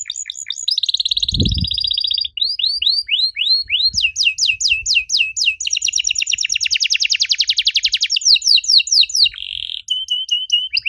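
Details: Strange canary song meant to prompt young canaries to reply, a rich chain of varied tours: swooping falling notes, rapid dense trills near the middle, a brief buzzy burst near the end, and one low thump early on.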